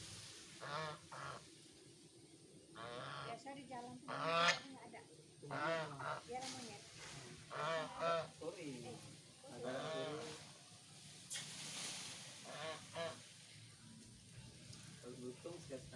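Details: A goose guarding a garden near an oil-palm plantation while driving off a lutung monkey gives loud, harsh honks in bursts, interrupted by short pauses.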